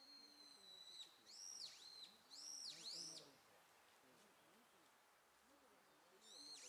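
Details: Young Japanese pygmy woodpeckers giving high, harmonic calls that rise, dip sharply and rise again, in bursts of two or three over the first three seconds, then a pause and another call at the end; faint low murmuring underneath.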